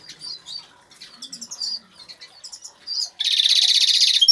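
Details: Captive agate-coloured Major European goldfinch singing in an aviary: quick, high tinkling twitters, then a long, dense, buzzy trill rattling several notes a second.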